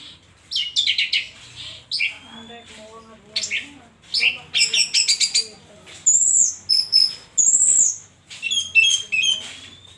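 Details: Orange-headed thrush delivering a rich mimicking song: rapid clicking and buzzy phrases, then clear high whistles and a final sweeping note, with faint lower chatter beneath.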